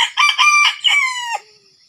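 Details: Loud red junglefowl crow in Sumatra, recorded while luring wild junglefowl with a decoy. Choppy harsh opening syllables lead into a drawn-out final note that slowly falls and fades, above a faint steady insect whine.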